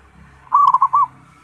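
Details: Zebra dove giving a single phrase of four rounded, rolling coos in quick succession over a faint background hum.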